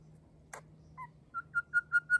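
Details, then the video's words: Grey shrike-thrush, one of an extended family visiting an Australian garden on a grey day, singing a clear whistled phrase: a short two-tone note, then five loud pure whistles on one pitch, evenly spaced and each stronger than the last. "On a grey day, a grey shrike-thrush lightens it up"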